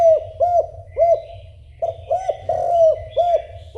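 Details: Spotted dove cooing insistently to call a mate: a series of soft, mellow, slightly rising-then-falling coos repeated about every half second, with a steady low background hum.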